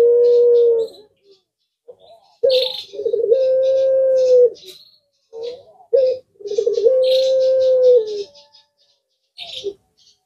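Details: Collared dove of the puter pelung style giving long, steady, drawn-out coos, each preceded by a short clipped note and repeated three times, while other small birds answer with high chirps and twitters between the coos.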